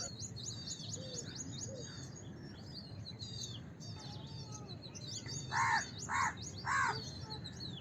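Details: Three loud, hoarse caws of a house crow close together near the end, after several seconds of busy twittering and whistles from other small birds.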